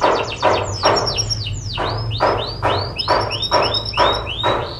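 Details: Canary song played to train other birds: loud high notes that sweep steeply down and then level off, given roughly twice a second, with a metallic quality and a faint very high trill above.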